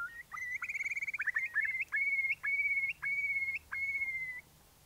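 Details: Eurasian curlew (Numenius arquata) at a Norfolk nest changeover, announcing arrival and answering its mate: a quick stuttering run of clear whistles, then four longer level whistles about two seconds apart, over faint low noise.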